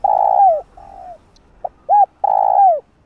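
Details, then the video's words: Spotted dove cooing, played to lure wild doves for trapping. Low hollow coos: a long flat note falling at the end, a softer long note, a brief hiccup, a short arched coo, then another long falling coo. "Tiếng cu gáy gọi thúc gù kích mồi tập bổi"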